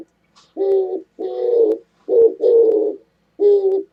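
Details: Oriental turtle dove recorded 27 January 2017; deep muffled coos given in a pattern of one, two, then single notes, each note rough and even, nothing else heard.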